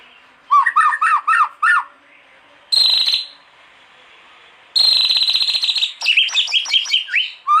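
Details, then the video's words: White-rumped shama, a singing bird used as a master recording for training others: a burst of five looping whistled notes, then harsh buzzy bursts and a rapid rattling trill ending in rising whistles, separated by short silences. "KOMPILASI MURAI BATU - KUMPULAN BEBERAPA SUARA OCEHAN BURUNG MURAI BATU GACOR UNTUK MASTERAN MURAI"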